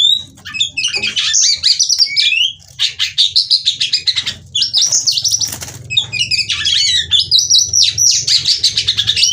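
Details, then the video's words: Female oriental magpie-robin in active chattering ngobra display, its seductive calls used as therapy to spur young males to sing. Bursts of fast, high chirps, slurred whistles and scratchy notes, briefly broken by louder rustling and fluttering, over a soft low hum. "Kacer Betina Gacor Ngobra Bukor/Rayuan Kacer Betina Terapi Gacor Kacer Bahan"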